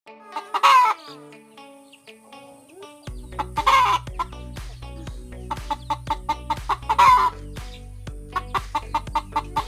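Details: Kampung (village) hen about to lay an egg, giving loud, drawn-out cackling squawks at intervals of about three seconds, between runs of short clucks, over steady background music.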